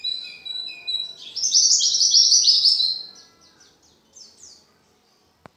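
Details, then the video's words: Singing pleci, or Oriental white-eye, ready for a song contest: two short high whistles, then a loud dense twittering burst, trailing into softer descending chirps and silence, with a single click at the end. "Burung pleci gacoor full materi"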